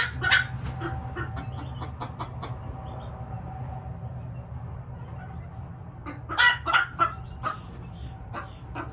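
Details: A 3-week-old pheasant x chicken hybrid gives clucky, chirping notes in a quick irregular burst, then a louder cluster of peeps near the end over a steady low hum.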